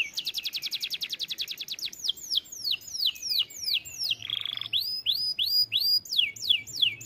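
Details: Canary song opening with a rapid trill of short high notes, then a string of loud, sweeping down-slurred whistles, a brief buzzy harsh phrase near the middle, and more swooping chirped notes to the end.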